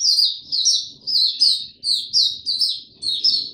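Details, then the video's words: An Oriental white-eye in tiong aw song, dated 25 January 2022, the bird having slept late the night before: evenly spaced, piercing high chirps, each falling in pitch, roughly two to three per second. "Mata Puteh Hercules V2 buka tiong aw sing"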